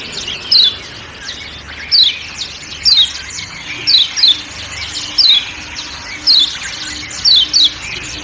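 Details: Kecial kuning white-eye on Lombok calling in crisp descending chirps, often doubled, with irregular gaps of about a second, over a soft forest sound bed.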